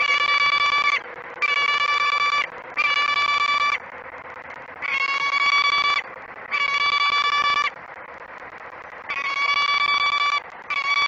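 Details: At Great Spirit Bluff, 06:32 on 28 February 2017, a female peregrine falcon on the perch scolds the male who has brought no food. Seven grating, one-second wails come with irregular pauses, some longer, over noticeable background hiss.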